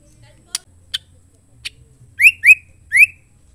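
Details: White-rumped shama female, her call meant to stir males into song. Three sharp clicks come first, then three clear, rising whistled notes spaced about a quarter to half second apart, over a quiet background.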